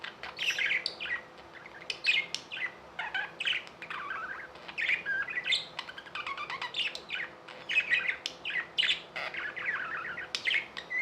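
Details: Captive budgies keep up a long continuous chatter of chirps, whistles and clicks, dense and irregular with short gaps, a faint steady hum underneath.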